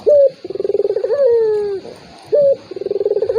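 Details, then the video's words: Turtle dove lure sound aimed at a hesitant rival. A high clipped note opens a quick throbbing roll that ends in an extended falling coo, and the sequence starts again. "PANCINGAN BURUNG PUTER || COCOK UNTUK LAWAN YANG MALAS BUNYI"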